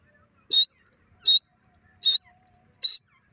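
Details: Grey francolin calling. Four short, sharp, bright notes come evenly spaced about three quarters of a second apart, with near silence between them.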